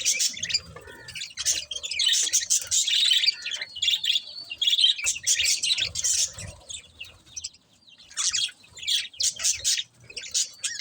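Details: Continuous high budgerigar chatter, scratchy warbles and quick chirps running together, with one short lull before more rapid harsh chirping.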